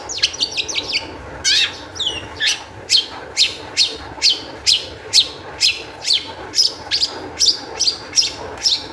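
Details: Long-tailed shrike song meant as a lure to prompt other shrikes to sing: a quick opening flurry, then sharp high downslurred notes repeated roughly twice a second in a steady series.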